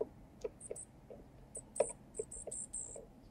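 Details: A baby junco, being fed by a male junco at a miniature balcony bird feeder, gives very high, thin squeaky notes in short quick bursts, with soft low tapping or pecking sounds between them.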